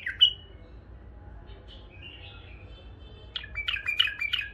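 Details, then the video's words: Tame bulbuls kept as pets, a male and two females, give a single bright chirp, soft thin notes, then a short run of quick, high twitters at the end. "بلابل أليفات فحل واثنيين نثايه طك جناح زايفات تغريد حلو"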